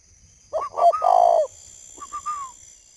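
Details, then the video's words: At 10 p.m., under a flash light held close, a caged spotted dove in Ba Vì, Hanoi, keeps calling: a hoarse multi-note coo, then a few fainter, higher, quavering notes. "Nửa đêm chim cu vẫn gáy"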